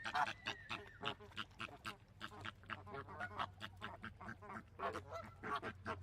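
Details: Flamingos calling: a dense chorus of nasal, goose-like honks overlapping several times a second, with a steady low hum underneath.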